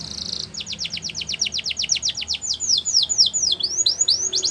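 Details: Gloster canary giving a brief harsh note, then a long string of rapid descending whistled chirps that slow toward the end into looping upswept notes.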